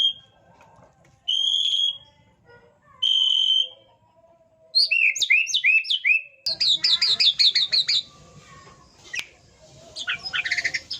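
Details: White-rumped shama song with separated clear whistled notes, then a burst of rapid looping whistles and a dense, varied chattering stretch of high sweeping phrases.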